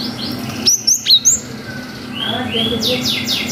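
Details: Cinereous tit in long wucit style, used to get young birds to respond: four quick sharp whistled notes, then softer rising chirps, with low mechanical hum behind.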